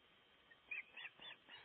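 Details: Breeding osprey at its nest in Gribskov, Denmark, during nest building, on a livestream: three brief, high whistled chirps, each about a tenth of a second and roughly a quarter second apart, over soft background hiss.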